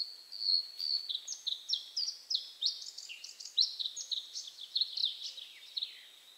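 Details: A bluethroat singing from bushes at 53.43N, 22.51E sings a loud, fast, varied run of high metallic chips, ringing notes and short trills, phrases tumbling together almost without pause.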